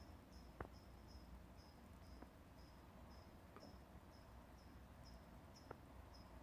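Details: Unidentified bird chipping at 4:30 am, an hour before sunrise, a monotonous call kept up for about an hour and a half: high, thin downslurred chips about twice a second over steady low background rumble with a few sharp clicks.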